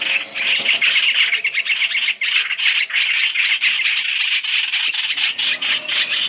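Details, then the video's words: Masked laughingthrush (hoành hoạch) lure for bird trapping, three calls combined: a loud, unbroken stream of harsh chirps and squawks, a brief dip near two seconds, then renewed busy chattering. "Tiếng chim hoành hoạch (trao trảo) mồi 3 trong 1 chuẩn để bẫy"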